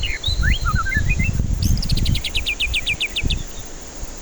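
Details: White-rumped shama song used to coax stressed birds that won't sing: a few falling, chattering notes, then a steady run of about a dozen sharp high notes, with low background rumble.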